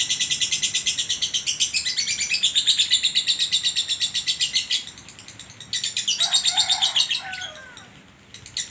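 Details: Caged lovebird that regularly wins bird contests in Sragen, singing its long ngekek: fast, piercing chatter of rapid high notes that runs continuously, breaks off briefly, resumes in a second burst, then fades out.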